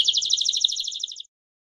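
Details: Canary singing a long campainha-style song used for training and teaching young birds: one high, fast, bubbly trill of evenly spaced notes, lasting just over a second and then stopping abruptly, followed by silence.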